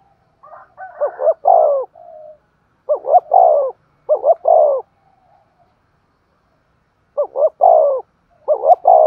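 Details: Spotted dove cooing hard in thúc gù style, repeating one phrase five times with gaps of one to three seconds. Each phrase has two or three short clipped notes, then a drawn-out coo that falls in pitch.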